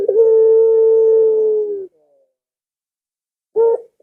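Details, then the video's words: A Barbary dove delivers one long, flat, sustained low coo of nearly two seconds that fades at the end, then a short clipped coo after a pause. The call is intended to prompt pet doves to call back. "Suara Burung Puter Ini Memikat Puter Anda Dirumah Sehingga Ikut Bunyi"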